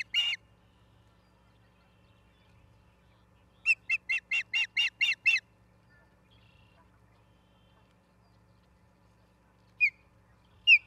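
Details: Ospreys at a nest cam in Charlo, Montana, on 3 October 2023 around 09:10. A brief high chirp opens, then a rapid run of about seven sharp whistled chirps, and later two isolated piercing notes, all over a quiet low hum.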